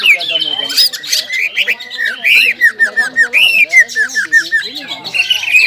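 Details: Greater green leafbird, a caged male-style singer pushed into emotion by breeding urge, delivering ngobra and jamtrok song: a steady run of short looping whistled slurs, repeated quickly over harsh buzzy undertones.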